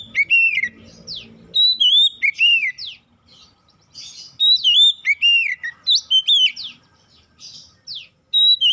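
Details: Song of an oriental magpie-robin, played to spur other magpie-robins into song: clear whistled notes swooping down and up, mixed with quick descending zips, delivered in dense bursts with brief gaps.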